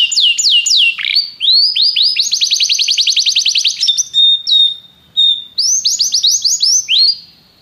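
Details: Canary song of bright downslurred whistles leading into a fast, steady trill. A few sustained pure tones follow, then another quick run of descending chirps that fades at the end.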